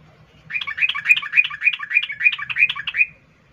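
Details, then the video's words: Sooty-headed bulbul, a female calling to a male in breeding condition; a lively burst of bubbly, chirping notes running about two and a half seconds, fast and slightly irregular, with a faint low hum beneath. "Trucuk Betina memanggil jantan Suara NgeroL birahi"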